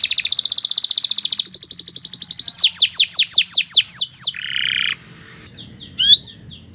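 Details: Canary in full song: a rapid even trill of short notes opens, then a held whistle, a run of loud downward-sliding whistles, a harsh lower rasp, and brief thin notes after a short pause.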